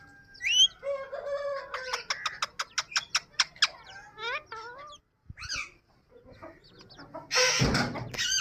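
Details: Pet yellow ring-necked parrot giving a fast run of sharp repeated notes, then upswept whistled chirps and squawky calls, ending with a loud harsh noisy burst near the end.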